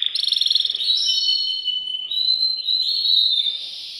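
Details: Excited male canary singing in its cage to prepare a female for mating: a fast pulsed trill opens, followed by long smooth whistles that step between pitches.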